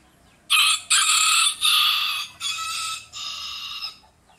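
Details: Chickens talking back and forth to one another: five loud, harsh, raspy squawks in quick succession, each about half a second long, fading slightly toward the end.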